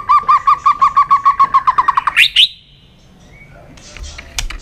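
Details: White-rumped shama in competitive singing: a fast, steady run of about fifteen mellow repeated notes, climbing into two high sharp notes, followed by near silence and faint noise.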